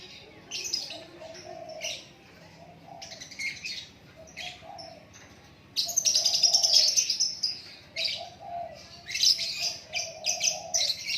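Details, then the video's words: White-rumped shama in natural song, delivering quick bright chattering and whistled phrases in bursts, while a lower, softer repeated warble sounds in the background. "Lakbet super kicauan natural"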